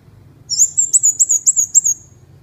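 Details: Ốc mít bird singing continuously: a quick run of about seven very high, thin whistled notes, each sharply slurred upward and slightly wavering, delivered over roughly a second and a half, with faint low hum beneath.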